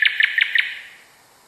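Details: A nightingale phrase, chosen for teaching canaries to sing, gives four sharp, bright, high notes, about five each second, ringing briefly in an echoing room.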